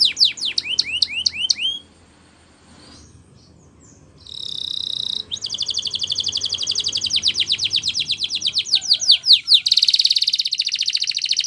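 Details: A Spanish Timbrado canary sings a training song: quick descending whistled notes, then a near-silent pause of about two seconds, a brief buzz, and a long run of fast rattling trills building to a dense rolling tour.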